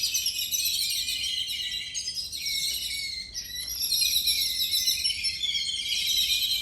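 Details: Flock of Yellow-billed babblers calling together, recorded January 7, 2021 at 8:58 in the morning; dense, overlapping harsh high chattering and squeaky notes run continuously without pause, several birds at once, with faint background noise.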